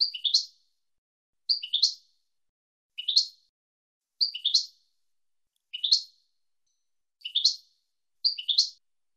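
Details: European goldfinch, recorded in the 2022 season for teaching young birds the approved song. The same short, sharp, rising-then-falling chirpy phrase repeats seven times at steady gaps of about one and a quarter seconds, in an otherwise quiet background.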